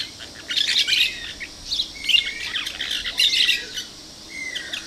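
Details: Plain parakeets recorded on 2 December 2012 giving bursts of sharp, high chattering chips in clusters about a second apart, with a thin rising whistle near the end over a hissing background.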